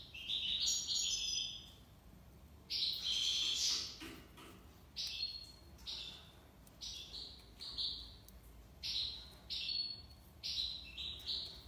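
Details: European goldfinch from Algiers, Algeria, in tiwawati song: tinkling, layered notes followed by long buzzy tones, then a run of short, bright phrases with brief gaps between them.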